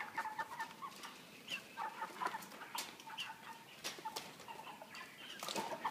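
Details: Broilers of 3 kg kept in a cage system with a pan feeder. Short, tonal, mid-pitched cheeps repeat among the flock, with sharp clicking noises scattered throughout.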